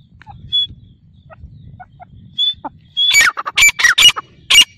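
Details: Grey francolin from a five-year-old breeding pair that breeds three times a season: after quiet soft chips, a burst of loud, harsh, shrill notes, some sweeping downward, repeated rapidly over about a second and a half.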